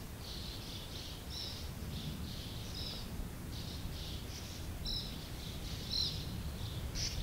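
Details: Sand martins calling at a colony of over 100 birds: scratchy, buzzy chirps repeated irregularly, some overlapping, above a steady low rumble of wind or background noise.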